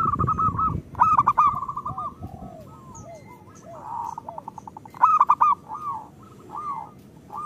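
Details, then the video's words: Local zebra doves singing, used as a lure to coax lazy birds into song: a burst of low noise opens, then rapid runs of hollow, rolling coos around one pitch, several birds overlapping in short bursts. "Perkutut lokal gacor"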